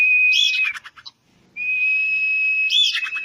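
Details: Common iora, bait to make it sing quickly: two long steady high whistles, each with a buzzy flourish and a short rattling trill, separated by a brief quiet gap.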